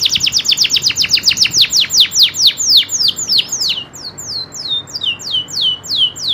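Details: Local canary delivering a rapid series of steep falling whistled notes that slow into longer, evenly spaced sweeping phrases.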